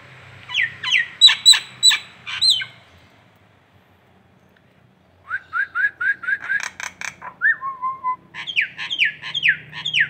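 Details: Indonesian local Nias hill myna on a masteran track: rapid harsh buzzy notes with whistled slides, a quiet pause, then a long string of short whistles, a lower fluted phrase and a rhythmic run of down-sweeping calls.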